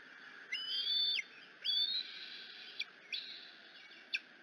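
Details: Bald eagle eaglet at the Decorah nest gives a long, steady high whistle, then a rising slurred scream, followed by a few short sharp chips, as its mother comes in one afternoon.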